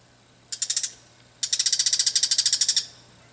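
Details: Agitated bull-headed shrike scolding in a garden at dusk, alarmed by a nearby cat and then threatening the person filming: a short run of five sharp, flint-like clicks, then a longer burst of about eighteen rapid shrill ticking notes.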